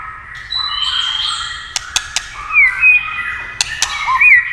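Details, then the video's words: Tail-tapping clacks spur a white-rumped shama into song: sparse short whistled slurs, some rising and some dipping, with isolated loud clicks and a background hiss. "chòe lửa tạch đập đuôi cạch cạch kích thích chòe lửa hót"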